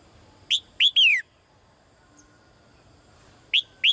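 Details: Calling the male, a caged female bird utters three rapid high downslurred chirps, a pause, then two more, clear against quiet background.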